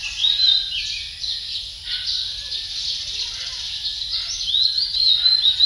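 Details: Male Philippine magpie-robin sings a rich, varied run of clear whistles and quick warbled phrases, with brighter whistled notes at the start and end, over a steady high background hiss.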